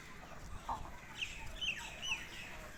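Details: Mother chicken feeding her chicks in a field: one low soft cluck, then several thin, high, downward-sliding peeps spaced about half a second apart, over steady outdoor background noise.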